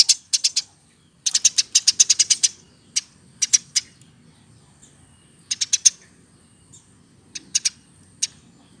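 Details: Eurasian tree sparrow reared by hand, over one year of age, gives scattered high chips and short rapid bursts of up to eight notes, with irregular gaps and a quiet background.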